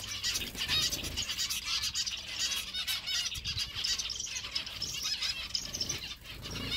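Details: Zebra finch chicks give a dense, unbroken chorus of high, buzzy, overlapping begging chirps, several at once, with soft rustling and flutters, as a parent pretends to feed them.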